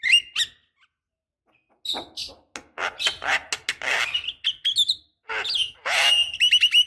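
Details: Female Javan myna calling males, a lure for young mynas: mixed harsh rasping notes and squeaks, then a long dense grating squawk and a short, fast stuttering trill at the end.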